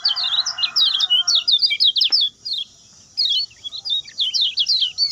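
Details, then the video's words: Lemon-bellied white-eye delivering fast short song phrases for training other birds, thin high zipping notes in quick bursts, a gap, then more, with a lower buzzy sound briefly at the start. "SUARA KECIAL KUNING SPEED PENDEK, TERBAIK UNTUK MASTERAN"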